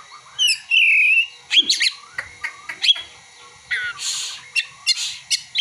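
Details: Oriental magpie-robin singing with mimicked prinia and sunbird calls: a drawn-out whistle falling then held, followed by clipped chirps, quick rising notes and a dry buzzy rattle near the end.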